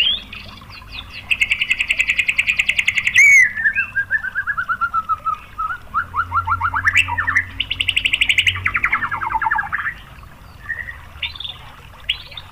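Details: White-rumped shama 'pancingan' song, meant to provoke other shamas into singing: a long loud fast trill, a sharp whistle, a descending stuttering series of notes, then another dense trill and scattered short phrases.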